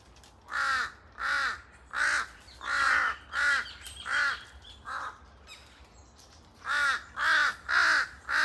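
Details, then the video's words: Large-billed crow pair calling noisily in echoing forest: a long series of harsh, nasal caws, about ten in a row, then a brief gap before three more, with fainter overlapping calls behind. "큰부리까마귀 한쌍 시끌벅적거리는 울음소리 메아리치는 숲 속 A pair of Jungle Crow, their noisy cries echoing through the forest"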